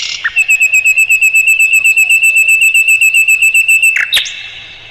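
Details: Mugimaki flycatcher song used to tutor songbirds like the white-rumped shama: a loud, steady series of about sixteen identical high whistled notes, rapid and evenly spaced, ending in a sharp downward flick and a burst.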